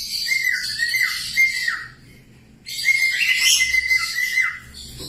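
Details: Budgerigar singing for cockatiel training: buzzy, scratchy chatter layered over steady whistled tones with falling ends, in two long bursts split by a quieter gap.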